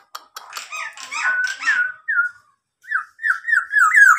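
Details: Tame captive local black-naped oriole mimicking a police car siren: scratchy chattered notes and slurred whistles, then a run of repeated rising-falling wails climbing in loudness.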